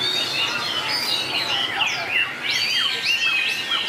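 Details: White-rumped shama singing in a contest duel, from a 2019 collection praised for long voice changes: rich whistled phrases between mid and high pitch, with quick sweeping slurs and frequent rising and falling notes, delivered almost without pause.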